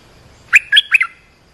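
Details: Olive-winged bulbul used for luring wild birds and training young ones, giving one short burst of three throaty, bubbling notes less than a second long, with a faint steady tone behind it.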